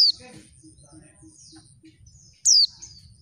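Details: Oriental white-eye female, her call used to draw males into singing: one loud, sharp, descending chirp after softer high chatter and faint low notes, over a steady low hum.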